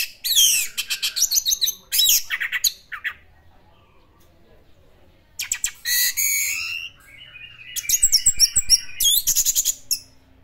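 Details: Orange-headed thrush singing in the classic style: loud, varied bursts of high chattering and sweeping whistled phrases, delivered in dense clusters separated by brief pauses.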